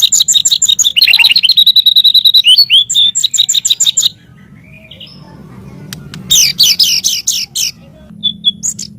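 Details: Master audio of a white-rumped shama for teaching songbirds: rapid high repeated notes, a held whistle, twisting phrases, quiet gap, then a short burst of sharp high notes and a few isolated chips.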